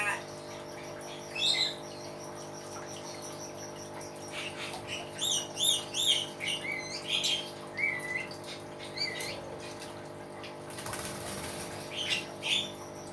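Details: Common hill myna in a varied, chattering song: clusters of quick chirps and whistles, a few louder upslurred notes, a burst of hissing noise near the end, and a steady low hum throughout.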